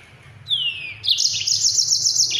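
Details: Yellow-fronted canary singing a fast, dense rolling song used as a tutor recording for training other songbirds: a clear whistle sliding downward, then a bright, rapid buzzy trill held high, over a faint low hum.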